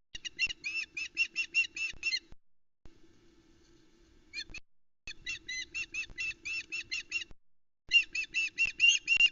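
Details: Female osprey at the Loch Arkaig nest, 17 July 2020, around 07:31, calling as the male delivers a large headless trout to the chicks. Bursts of rapid, sharp, whistled chirps, many per second, separated by short pauses, with a low steady hum beneath.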